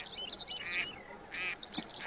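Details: Two nasal, drawn-out quacks about half a second apart from a pair of mallards resting among grasses out of the water, some distance away, with fainter bird chatter behind; early morning, wild Palestine, about -2°C below freezing.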